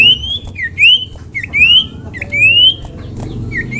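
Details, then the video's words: Common iora calling to prompt other ioras to sing along: rising whistled notes around the upper register, repeated roughly every second with short downslurred notes between, over a low background hum. "pancingan burung cipoh memanggil cipoh lain agar ikut bunyi dan gacor"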